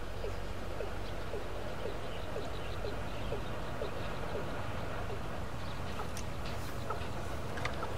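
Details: Male Watercock (Gallicrex cinerea) in Ayutthaya, Thailand, on 20 May 2014, calling from full cover, giving a run of about ten hollow, low notes, roughly two a second, over a heavy low rumble; faint chirps from other birds follow.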